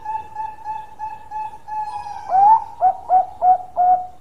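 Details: Bangkok-type zebra dove in full, active song with a long voice. A fast run of soft, even notes at one pitch gives way to four loud, rounded cooing notes spaced about a third of a second apart.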